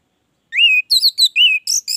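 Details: Caged orange-headed thrush singing after a brief pause: a rising whistle that levels off, then several quick varied whistled phrases and high twittering notes.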